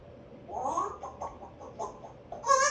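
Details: Pet African grey parrot practising words in September 2024, raised as a talking bird; soft mumbled speech-like syllables rise and fall over about two seconds, ending with a brief, louder harmonic vocalisation indoors.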